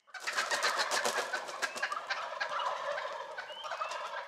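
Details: Wild turkeys in Rhode Island during early spring make a dense, continuous gobbling chatter of quick pulsed notes. It is loudest in the first half and softens slightly toward the end.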